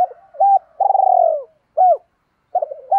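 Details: Decoy spotted dove cooing: a short note, a long rough drawn-out coo that sinks at the end, then a single hooked note and the start of another phrase. No other sounds.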